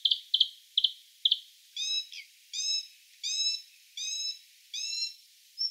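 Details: Bluethroat, Luscinia svecica: four sharp high double notes, then a slower series of drawn-out nasal, buzzy notes rich in overtones, repeated roughly every three quarters of a second.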